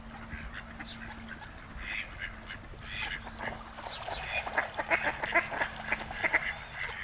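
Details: Mallards (Anas platyrhynchos) in breeding season, two males courting a female at the Malecón de San Lázaro, Noia, give soft, nasal, rasping quacks and calls, about one a second and quickening toward the end, over a steady low hum.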